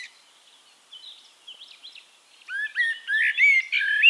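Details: In Castricum, the Netherlands, a Eurasian blackbird sings a loud mellow whistled phrase ending in scratchy high notes, preceded by faint distant song.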